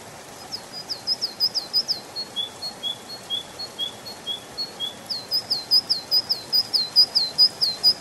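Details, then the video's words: Spring forest canary song: clusters of sharp rising chirps, then a row of softer, lower whistled notes, followed by a long, even series of bright trilled syllables at a steady pace. "Пение канарейки, канарейка поет в весеннем лесу"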